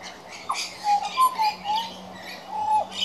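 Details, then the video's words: Juvenile pied butcherbird practising song as a regular visitor: a string of clear, mellow whistles, short and slightly rising or falling, repeated with brief pauses, plus scattered high chirps in the background. "Juvenile Pied Butcherbird Singing"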